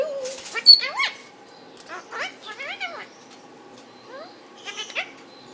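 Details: Indian ringneck parakeet in a cage beside another bird, talking to its owner: a few loud, scratchy mimicked syllables with falling slides, then quieter muttering and a final harsh phrase.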